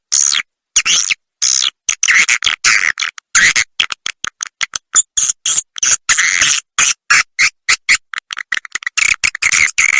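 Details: Edible-nest swiftlet roosting lure, "Ratu Birahi" type, broadcast to attract swiftlets to roost: steady rapid chirping pulses, short squeaky notes repeated several times a second with brief gaps.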